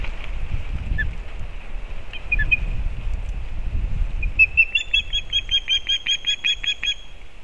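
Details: The elder osprey chick, just fledged and returned to its nest in an old bent pine in Kurzeme, Latvia, on 15 August 2024, gives rapid high, thin whistled chirps, three or four per second, after wind and wing-flapping rumble.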